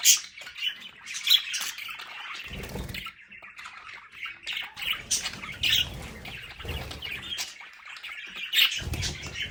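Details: Budgerigars kept as pets in a home play area keep up continuous scratchy chatter with sharp squawks and whistled chirps, over a few soft low thuds and rustles.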